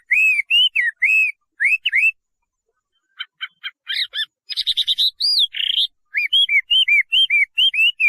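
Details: Chinese hwamei singing loud, clear whistled phrases of rising-and-falling slurred notes, repeated in runs, with a brief burst of sharper, buzzier notes in the middle before the looping whistles return.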